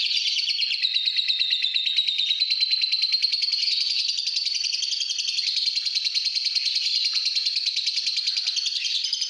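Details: Pastel green fighter lovebird kept at home, singing the long continuous ngekek: an unbroken, high, rapid chattering trill of fine pulses, roughly three a second, sustained for over nine seconds without a pause.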